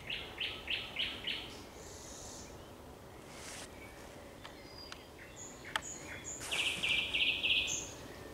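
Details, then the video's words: Sunset song of a thrush nightingale, recorded on 30 May 2021. It opens with four strong repeated notes, pauses amid faint clicks and calls, then ends in a loud, fast rattling series. "Śpiew słowika szarego przy zachodzie Słońca"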